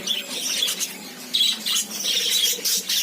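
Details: Lovebirds kept as farmed pets give loud, harsh squawks and chirps in dense overlapping bursts, nearly continuous across the recording.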